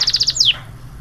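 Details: A yellow canary in Trinidad sings a fast string of five bright, high chips, then a quick descending whistled slur, with no other sounds.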